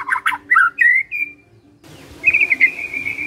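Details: Magpie-robin song meant to get caged birds responding: loud varied whistles, then a pause and a long, steady, buzzy trill over a noisy background.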